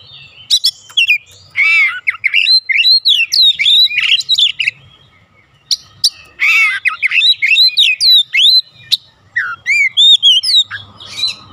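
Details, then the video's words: Oriental magpie-robin song used to provoke a response from other kept birds at home: loud, varied whistled phrases with rising and falling slurs, harsh buzzy notes and rapid chirps, a brief pause near six seconds, then more rich phrases. "AUTO RESPON NGEPLONG GACOR KACER ANDA DIRUMAH"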